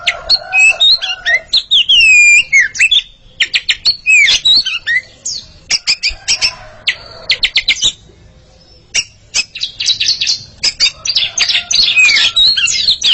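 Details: Oriental magpie-robin pair in a singing contest, a dense, varied stream of loud whistles, slurred glides and harsh scratchy notes in rapid bursts, with a short lull near the middle before the rich phrases resume.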